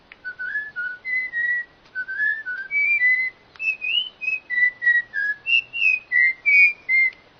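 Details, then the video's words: A bird sings a steady series of clear whistled notes, each a short slurred phrase rising or falling, repeated about three times a second over a faint background hiss. "suara burung yg sangat keren"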